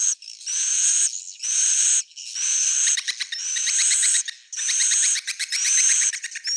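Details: Edible-nest swiftlet roosting call for attracting swiftlets: long buzzy, high drawn-out rasps ending in rising whistles, alternating with stretches of rapid ticking clicks.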